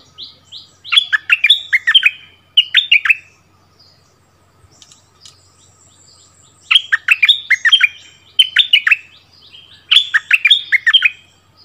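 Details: Song duel between a decoy bulbul returned to its former territory and the new resident bird, recorded 3 February 2021; bursts of fast, sharp, bubbling chirps come in phrases with short quiet gaps between them.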